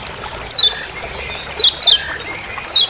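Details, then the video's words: Lemon-bellied white-eye, known locally as kecial kuning of Lombok, giving its ciak ciak call in forest, used as master sound: four short, sharp descending high chirps, single then a close pair then single, over quiet background. "Masteran Kecial Kuning Ciak Ciak Di HUTAN"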